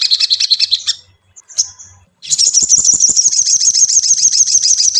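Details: Ashy tailorbird song used as a lure to train a caged bird to sing: rapid, high, shrill chirps repeated about three times a second, a brief pause, then a dense buzzy rattle of fast ticking notes.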